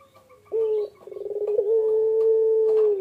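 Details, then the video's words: Barbary dove (puter pelung) on eggs: one short note, then a quickening train of soft pulses that swells into a long, smooth, level coo held to the end. "PUTER PELUNG NGACOR SAAT MENGERAMI TELUR"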